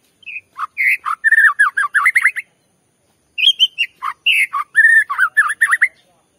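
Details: White-rumped shama song used to provoke another shama into singing: two bursts of rich, rapidly varied whistled phrases, swooping and warbling with sharp high notes, separated by a pause of about a second.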